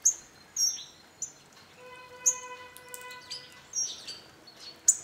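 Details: Flock of about 20 hawfinches at a garden bird feeder beneath a walnut tree in northern Hungary give sharp, very high ticking calls at irregular intervals, about six in five seconds, with a steady droning hum partway through.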